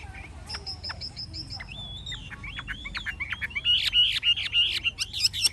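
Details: Forest-voiced old wild hwamei delivering a rapid, varied song. A thin high buzzy phrase gives way to looping whistles and then loud rhythmic upslurred notes, about three per second, over faint hum.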